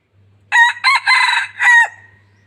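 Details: A decoy red junglefowl used for luring wild birds gives a full crow: a clipped opening note, two quick harsh pieces, and a drawn-out closing syllable fading away, with a soft hum underneath.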